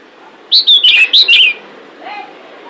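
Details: Pied bushchat female luring males: a single rapid burst of six clear, slurred whistled chirps lasting about a second, followed by a soft lower whistle.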